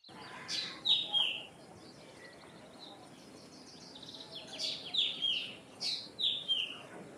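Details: Common myna, also called Indian myna: short bursts of harsh chirps and clear whistled notes, some falling, in two clusters separated by a quiet stretch, over soft steady background noise.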